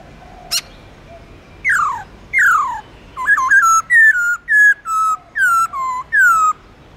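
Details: Black-throated laughingthrush singing in the forest style with long, flowing phrases, sung to coax newly caught birds into song: a sharp click, two clear downslurred whistles, then a run of eight loud, slightly falling whistled notes.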